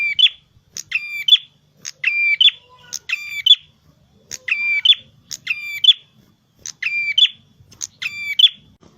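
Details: Red-headed prinia delivering energetic gacor song: a rapid run of about eight phrases, each a sharp click, a buzzing harmonic note and a quick bright chirp, tightly spaced with brief pauses.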